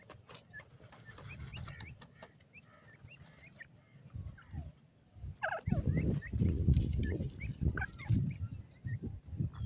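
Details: Several ring-necked pheasant chicks peep with short, high, slightly rising notes at an irregular pace. Loud low rumbling and rustling noise swells in the second half.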